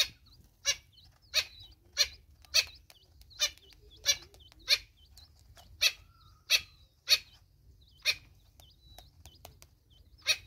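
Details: Mother Natal spurfowl with her chicks in South Africa: a long series of loud, raspy, clipped bursts, spaced unevenly about half a second to a second apart, with soft high whistled notes in the gaps.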